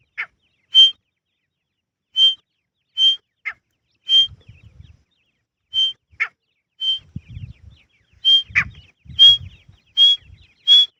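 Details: Grey francolin, also called teetar, calling in a natural forest: harsh, broadband notes spaced unevenly, mixed with clear, flat high whistles repeated about every second. There are low rumbling thumps in the background.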